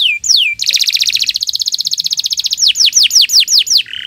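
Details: Canary delivering extended morning song for training other birds: two descending whistles open a fast rolling trill that shifts higher midway, followed by a series of loud downward-swept notes and a closing buzz.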